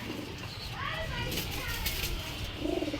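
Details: Pigeons in a loft with newly hatched chicks; soft, low, rounded cooing, the clearest coo near the end, while a person talks over it in a small indoor space.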